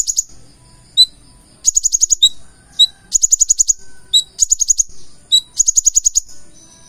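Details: Purple-throated sunbird, or konin, singing full isian: short bursts of fast high ticking notes alternating with single sliding lower whistles, evenly repeated.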